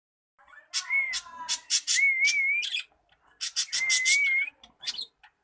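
A cockatiel gives wavering whistled phrases broken by bursts of harsh, scratchy chatter.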